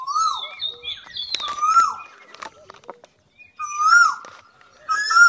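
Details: Asian koel (Eudynamys scolopaceus) in Singapore giving loud, rising two-part 'ko-EL' notes, repeated about every one and a half to two seconds, with faint chirps from other birds behind.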